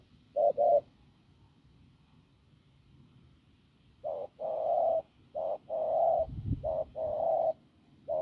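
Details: Hoarse-voiced, strong field-caught spotted dove cooing: a brief double coo, a pause of a few seconds, then a run of low husky coos alternating short and long notes, with a soft thud near the end.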